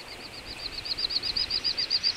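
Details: Little bustard from a wintering flock at Ag-Gol National Park, Azerbaijan, November 2014: a brief run of high, even whistled pulses, about seven per second, steady in pitch and growing slightly louder.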